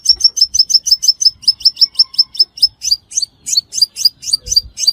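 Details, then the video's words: A five-coloured sunbird, used for lure trapping, gives a long, steady string of high, thin chirps at a quick, even pace, with a brief break midway before the chirping picks up again, slightly louder. "Tiếng chim hút mật 5 màu"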